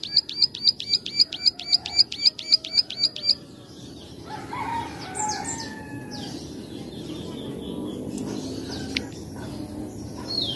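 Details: Plain prinia, known locally as ciblek sawah, in a lively recording used to train and lure cage birds: a fast run of sharp, high clicking 'klik' notes, about four a second for three seconds, then softer mixed calls over steady background hiss.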